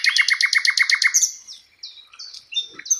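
A flycatcher opens with a fast run of about eleven sharp, down-slurred chips, then shifts to thin, high whistled notes with short pauses between them.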